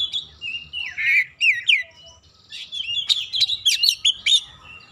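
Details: Oriental magpie-robin song aimed at stirring up a rival male: rich whistled slurs, rising and falling, followed by a dense burst of sharp chirps and high notes, with a faint low rumble underneath.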